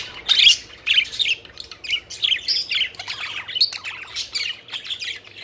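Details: A pet budgerigar flock having fun and flying around, with distinct scratchy chirps and warbled squeaks coming in quick uneven bursts, several notes every second, over a quiet background.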